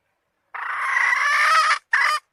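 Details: Long, loud, hoarse note from a hen, held for over a second, then cut into two shorter raspy bursts with brief gaps between.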